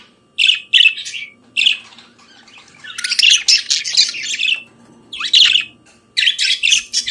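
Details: Morning song of a budgerigar: a few short chirps, then a dense stretch of rasping chatter, a pause, and more clipped squeaky notes, all high and buzzy over a faint steady hum.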